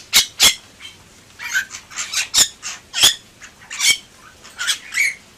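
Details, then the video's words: Harsh, chattering song from a Bali myna in gacor form: two loud squawks open, followed by grating notes, raspy phrases and short whistled twists at uneven intervals. "Suara Burung Jalak Bali Gacor"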